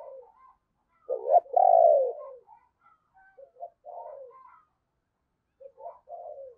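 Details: Deep-voiced decoy spotted dove cooing to draw in wild birds; one loud, rolling, drawn-out coo stands out early, followed by softer, clipped coos and a few faint higher notes.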